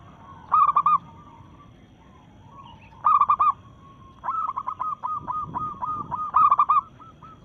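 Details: Local zebra dove, excited and breeding, singing to challenge rivals. Clipped, rolling coo bursts repeat, and a long run of evenly spaced coo notes follows, partly overlapping another dove.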